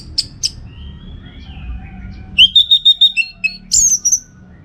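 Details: Lively orange-headed thrush song meant to train contest birds: a faint soft whistle, then a rhythmic row of about eight clear, evenly spaced mid-high whistled notes followed by a buzzy higher flourish.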